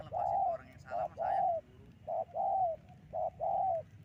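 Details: Spotted dove calling as a trapping lure: soft, hollow cooing phrases, each a brief note then a longer sustained coo, repeated steadily with short gaps, against low background rumble.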